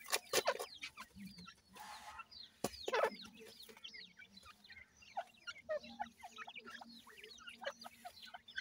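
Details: Chicks of partridge being fed: many high, thin, falling peeps overlapping throughout, with loud clicks and taps from pecking, a low steady hum and scattered soft clucks.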